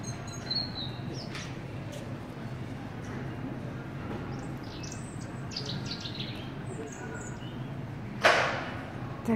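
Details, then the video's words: European robin singing inside a garden centre in March 2018, where robins live and are given food, water and shelter; thin, high warbled phrases arrive in short bursts over a steady indoor hum, with a sharp clatter near the end. "Rotkehlchen Gesang"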